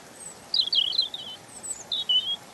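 A European robin sings high, thin warbling phrases that wobble up and down, followed by a shorter second phrase, over faint background hiss.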